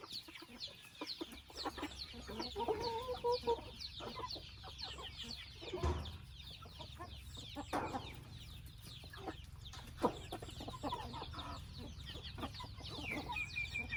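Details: Several chickens in a family house give murmuring clucks in short runs, a steady wash of high downward peeps, and an occasional thud or knock.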